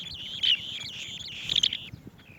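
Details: Feeding chicks with bees, a swallow-tailed bee-eater gives continuous twittering trills with brighter bursts near half a second and one and a half seconds.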